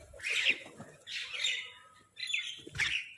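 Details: Crows squabbling over food give four separate harsh, hoarse squawks, each about half a second long, with quiet rustling between them.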